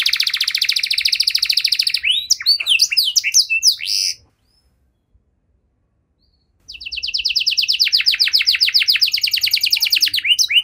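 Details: Canary song intended to draw silent canaries back into singing: a rapid rolling trill, a jumble of loud rising notes, a pause of a few seconds, then a long high trill of evenly repeated notes.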